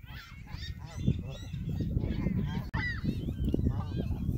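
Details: A flock of Canada geese on the lake at Hawreluk Park honks over and over, the nasal calls overlapping and bending up and down, over a steady low rumble of wind or distant traffic.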